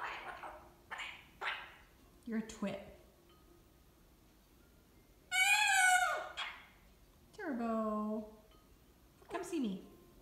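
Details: Pet cockatoo calling for its owner's husband, who is absent. A woman talks, then a loud, nasal, harmonic squawk lasts about a second. A falling call and brief squeaks follow amid more speech indoors.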